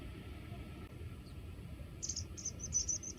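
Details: A water pipit gives a quick run of thin, high, sharp call notes, probably its everyday call given as it takes flight, in the last second, over a steady high insect hum and low rumble.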